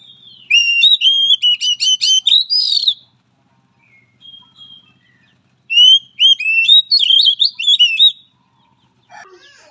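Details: An Oriental magpie-robin, used as training/therapy audio for mentally weak magpie-robins, sings two bursts of rich, varied whistling, each about two and a half seconds of quick, high, sweet notes and slurs, with near silence between.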